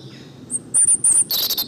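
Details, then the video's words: European Robin singing: a few thin, very high drawn-out whistles, then a quick, jumbled burst of sharp twittering notes. "Canto del petirrojo"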